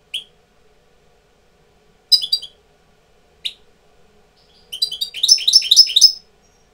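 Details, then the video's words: Indoor European goldfinch acting as tutor bird while coming into breeding condition; a few isolated high chirps, then a fast, liquid, tinkling twitter building into a dense rolling phrase before stopping abruptly. "jilguero maestro cogiendo el celo"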